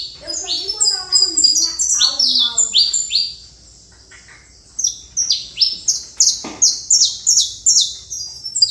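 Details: Song of a saffron finch: rapid high slurred chirps over softer low warbling, a pause near the middle, then evenly spaced bright notes repeated roughly twice a second.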